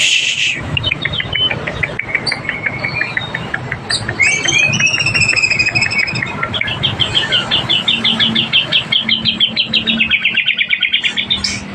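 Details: A magpie-robin in breeding condition, singing in courting style: a long run of rapid, evenly repeated trilled notes that shift pitch upward midway, with a few higher whistled phrases and faint low background hum.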